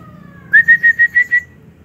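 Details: White-rumped shama kept in an aviary: a quick series of six short, clear whistled notes on one steady high pitch, evenly spaced about six per second, after faint sustained tones, over a low background hum.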